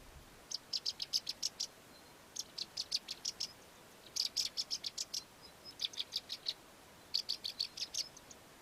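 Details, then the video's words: Melodious Lark of southern Africa singing and mimicking local bird species: rapid dry ticking notes in bursts of about six to ten clicks, each burst lasting a second or so, repeated with short gaps throughout. "The Melodious Lark, a southern African lark, singing and mimicking other local bird species."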